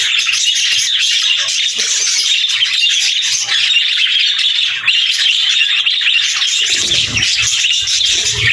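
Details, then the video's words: Cheerful budgies chatter steadily with overlapping high chirps, warbles and occasional squawks; a burst of low rustling comes near the seven-second mark. "Budgies Chirping Sounds"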